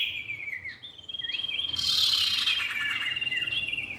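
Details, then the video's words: Common iora pair, male and female, on a trapping lure: a falling whistle, then a long level high whistle running into rapid buzzy chatter and a final descending note. "pikat burung cipow jantan dan betina"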